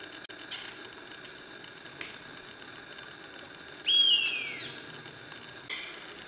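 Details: In Brazil in 2016, part of a flock of 15 golden parakeets, with a young bird perched in a tree, gives one loud, harsh, descending screech, with fainter rasping calls before and after over a steady high background hum.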